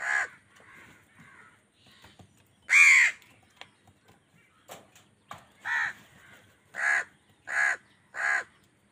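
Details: Crow angrily contesting food with wild birds: one loud harsh caw, then a run of four softer, evenly spaced caws, with scattered clicks and faint calls between.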